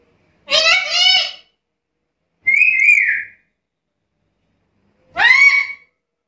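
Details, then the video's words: Black-capped lory alternating a rough double-pulsed harmonic call, a wavering whistle and a rising harmonic note, spaced about two seconds apart indoors. "Suara burung nuri kepala hitam gacor isian komplit"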